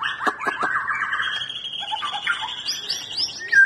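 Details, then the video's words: Song of a white-rumped shama, played to spur a quiet bird into singing, opening with sharp clicking notes and a dense warbled phrase, then a higher sustained whistle and thin rising notes. "langsung nyaut muraibatu males bunyi jadi gacor"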